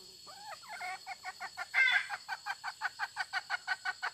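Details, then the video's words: Hen giving a fast, even run of short clucks, roughly three to four per second, with one louder, harsher note near the middle, against a constant high-pitched insect hum. "suab poj qaib tsauj seev dib"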